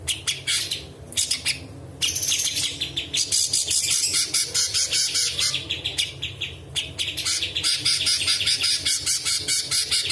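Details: A bulbul (cucak cungkok) sings a dense, fast run of bright, chattering high phrases, changing notes often and mixing in imitations of other birds such as cucak jenggot and balang kerek.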